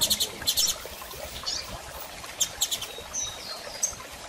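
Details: Female double-collared seedeater soliciting mating gives short, sharp high chips in small clusters at the start and again midway, with brief thin whistles between and a faint constant hiss behind.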